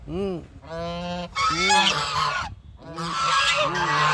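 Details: Series of loud nasal duck quacks, some harsh and raspy, others clear and arched, given in quick bursts with brief pauses between.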